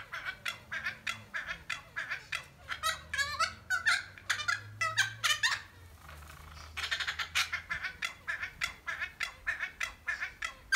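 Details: Pair of noisy friarbirds conversing in a holly fuchsia shrub, trading loud, harsh, cackling squawks in rapid bursts with a short pause near six seconds; faint low hum beneath.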